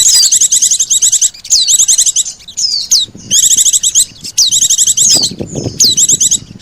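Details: Combined white-eye and sogon lure sound for attracting birds: dense high twittering trills punctuated by sharp swooping whistles, repeated in bursts about every second.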